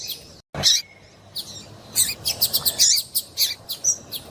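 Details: Female double-collared seedeater piping to set males singing: a brief click, a pause, then an irregular series of thin, high chirps and slurred notes, slightly hissy in the background.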